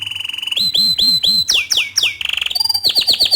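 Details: Green canary singing a tutor song for young birds: a steady whistled note, three looping chirps, falling swoops, then a quick trill and a burst of bright repeated chips.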